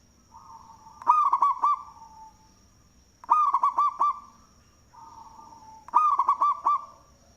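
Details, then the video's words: Local zebra dove with a loud, big voice, used as a lure: a soft rising lead-in, then a rapid stuttering series of four or five hollow cooing notes, the phrase repeated about every 2.5 seconds, with a steady high electronic whine. "Perkutut Lokal suara BESAR Manggung, Cocok untuk pancingan"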